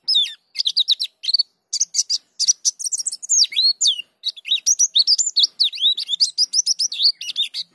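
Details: Pleci dakun white-eye singing a gacor ngerol song that shows off its isian fillers: a rapid, high twittering stream of short slurred and warbled notes with brief pauses, varied throughout.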